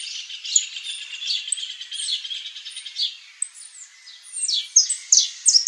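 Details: Saffron finch singing a long, dense warble of high chirps and trills, finishing in louder, sharply descending notes.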